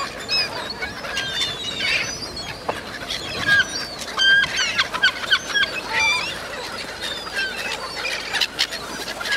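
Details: Seagulls being fed at Cramond near Edinburgh: a crowd of overlapping harsh, squealing calls, some sharply rising or falling, bursting out irregularly over a steady wash of outdoor noise.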